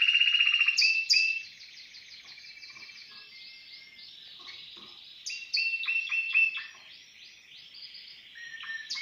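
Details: Caged Timbrado canary opens with a loud rolled trill, drops to soft, quiet rolling phrases, then breaks into a louder burst of stepped, bell-like notes before softening again.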